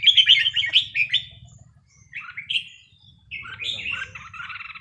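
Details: Red-whiskered bulbul during practice on a day off, singing bright bubbling whistled phrases in three bursts separated by short pauses, with a faint low hum beneath.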